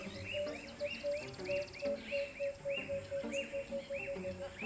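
Blacksmith Lapwing giving sharp, metallic clinking notes repeated about three times a second, like a hammer on an anvil, over a steady musical drone.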